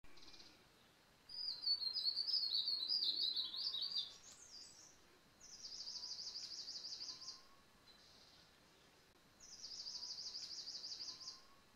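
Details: A Verditer Flycatcher in Landour, Indian Himalaya, early morning, gives a high, tumbling warble, then two bursts of rapid, even trilling. Faint, distant whistles come from another bird in the background.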